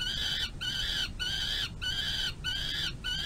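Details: Peregrine falcon nestling being fed by its mother at a nest box, May 2022. Six rasping, harmonic wails, each roughly half a second long, repeated in a steady rhythm against low background rumble.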